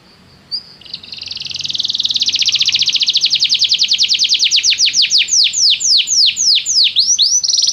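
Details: Canary singing for canary training, to prompt a canary to sing: a trill builds from quiet into a long, fast, loud roll of notes, then breaks into slower sweeping whistles.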